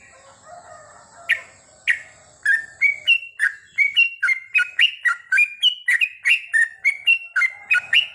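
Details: Yellow-vented bulbul (trucukan) singing at night, used as a training recording so kept birds produce long goklik phrases: short bright whistled notes, some rising and some falling, repeated about twice a second in a lively chattering run after two softer opening notes.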